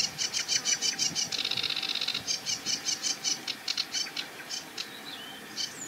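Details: Sedge Warbler warbling from a treetop beside a marsh reedbed; hurried chattering phrases of repeated clicks and buzzy notes, a rapid trilled burst in the middle, ending with a few whistled slides.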